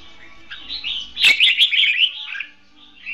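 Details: Red-whiskered bulbul, caged and used as a decoy to trap birds, giving a competition-style song: a quiet lead-in then a loud, tumbling run of rapid warbled notes for about a second, with a faint note closing.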